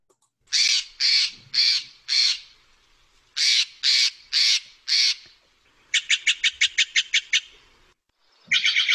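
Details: A Steller's jay in the Lake Tahoe region gives two runs of four harsh, raspy shack notes, then a fast, even rattle of about nine notes, all loud and high.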